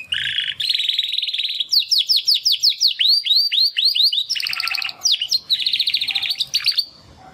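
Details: Two young male Timbrado canaries, brothers bred in the second breeding round of 2020, attempt their first songs after their first molt; rapid high trills, buzzy rolls and repeated upward-sweeping whistled notes in quick succession.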